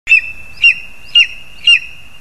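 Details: Lesser spotted eagle (Clanga pomarina) at the nest on 2 August 2020, parents bringing food to the young: four short, high yelping notes about every half second, over a thin, steady, high whine.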